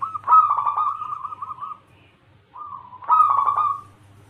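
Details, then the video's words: A local zebra dove sings as a lure to make other doves answer. Two rolling, bubbly cooing phrases are separated by a short quiet gap, with a low hum in the background. "Pancingan perkutut lokal gacor suara cocok untuk pancingan semua jenis burung kutut dirumah"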